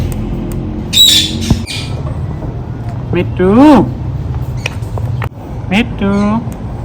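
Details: Ringneck parrot talking, repeating the word "Mithu": rising, strongly harmonic, nasal vocal phrases near 3.5 and 6 seconds, each about half a second long, with squawk-like bursts and a low background hum between them.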